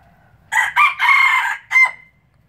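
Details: Red junglefowl of pure Laos stock, a breeder recorded in 2016, giving one complete crow: a harsh opening burst, a longer sustained middle phrase and a clipped final note with a thin trailing whistle, over a quiet background.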